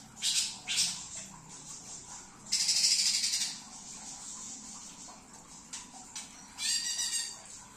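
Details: Greater green leafbird in trotol song, delivering separate loud, high, scratchy bursts: two quick notes early, a long harsh buzzing phrase near the middle, scattered faint chips, and a final rattling high burst.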